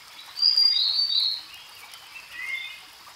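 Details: Grey-headed canary-flycatcher, a bird native to Asia, singing: a bright high whistled phrase near the top of its range, then a softer lower falling note, over a steady high background hiss.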